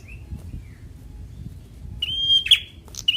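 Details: Bar-winged prinia, semi-young fighter type, used to stir reluctant birds to sing: faint soft chirps first, then a loud level high whistle snapping into a harsh downward note, with another whistle starting at the end.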